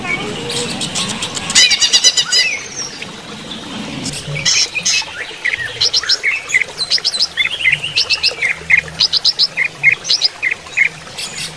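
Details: Varied song of a greater green leafbird (cucak ijo) during running-water therapy: an opening burst of rapid high notes, then many short, sharp chips and whistled phrases, irregularly spaced.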